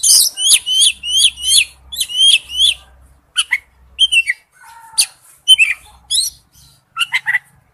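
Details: Male oriental magpie-robin calling to a female: a rapid series of about seven repeated sharp, slurred high notes, followed by assorted whistles, clicks and squeaky chirps with irregular spacing.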